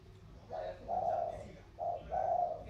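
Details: Spotted doves dueling in the thổ cooing style, from Sóc Trăng delta and Cam Ranh mountain; two deep coo pairs, each a quick short note then a sustained hollow tone, over quiet background.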